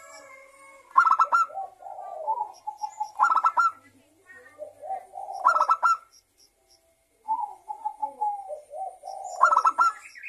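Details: Local zebra dove singing vigorously as a lure for other doves. Four loud stuttering pulsed phrases roughly every two and a half seconds, each trailing into lower gurgling coos.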